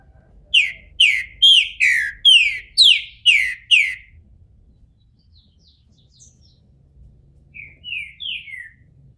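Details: Green-winged Saltator, bald and coming out of moult, in captivity in Brazil: a rapid run of eight descending whistled notes lasting four seconds, a pause, then a softer trio of falling whistles near the end.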